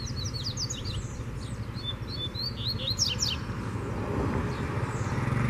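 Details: Loose wild Double-collared seedeater challenging a caged bird: dense, quick high whistles and slurred chirps pour out over the first three seconds, then quieter, with low rumbling noise throughout.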